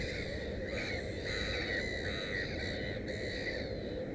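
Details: Black-headed gull beside its nest holding three chicks, giving drawn-out rasping calls that run together in a continuous chattering stream, with a constant low rumble underneath.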